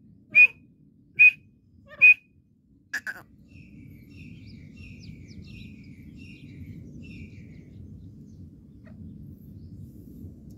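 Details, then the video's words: Three loud, piercing whistled notes from a partridge (teetar), spaced under a second apart, then a short harsh burst. A series of much fainter, rapid notes follows over steady low rumble. "teetar calling sound / तितर की आवाज. partridge voice"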